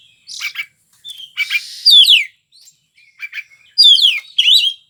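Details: Oriental magpie-robin (kacer) giving gacor song: buzzy chattering notes, then crisp descending whistled trills, a pause, and two more bright falling trill phrases.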